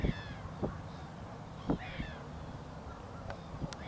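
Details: Southern giant petrel at the Río Gallegos estuary, Santa Cruz, Patagonia, Argentina, recorded on 6 September 2021 during monitoring: a few harsh, hoarse croaking calls at irregular intervals, with sharp knocks and a low rumbling background.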